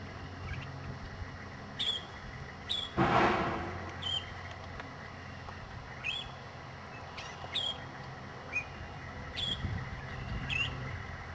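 A Northern Shrike gives about eight short, clipped, mid-high notes spaced irregularly about a second apart, over a low rumble with one brief noisy rush.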